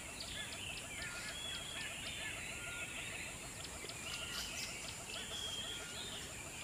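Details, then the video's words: Baby birds cared for by their mother: dense, busy high chirps and short whistled notes overlapping steadily, about four per second, with a constant high electronic hiss throughout. "How Baby Birds has been taken care by their Mother"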